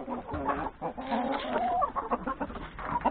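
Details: Yard flock of chickens, including three roosters, eating breakfast before forest grazing; overlapping low clucks and short tonal calls, one clearer rising-falling note near the middle, steady flock chatter throughout.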